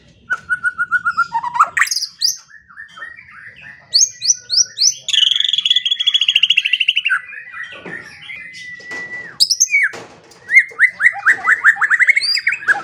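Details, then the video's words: White-rumped shama training song for morning and evening, mixing rapid rattling trills, high sharp notes and a long buzzy trill, then repeated chattering phrases, loud and clean. "Pancingan dan Masteran Pagi dan Sore Hari Murai Pendiam Langsung Ikut Bongkar Isian | shama bird"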